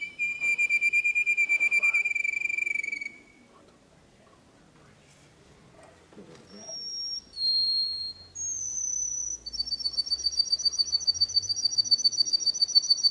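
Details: Canary song for schooling young birds: a long, steady low rolled whistle lasting about three seconds, a pause, a few short higher whistles, then a rapid, evenly ticking high trill.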